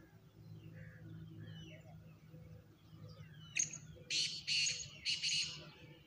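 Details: Oriental magpie-robin chick being fed by both parents, eagerly opening its beak for food; a few harsh, hissing bursts come in quick succession late on, following a short sharp note, over a low steady hum.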